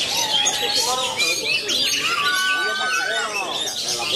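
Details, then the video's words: Magpie-robin, a 'matador' songster said to be ready for contests, mixing clear level whistles, rising and falling slurred notes and scratchy twitters in a busy, unbroken song, with softer lower warbles underneath. "SIAP BERSAING DENGAN KACER MASAKINI KECER MATADOR TAK KENDOR"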